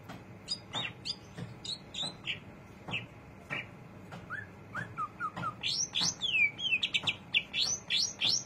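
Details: Greater green leafbird chattering diligently: clipped high chirps at first, then short whistles, breaking into a rapid, lively twitter of upslurred and downslurred notes that grows louder at the end. This is the ngriwik style.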